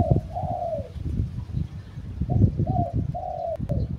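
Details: Spotted dove decoy bird giving clear, mellow cooing notes, some drawn out and gently falling, in two short phrases separated by a pause. A low rumble underneath, plus a couple of sharp clicks.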